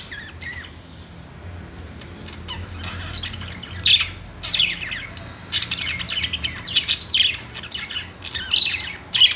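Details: Caged budgies in a pet store sing on their perch: a few thin notes, then a growing burst of loud chirps and harsh squawks from several birds over a low hum.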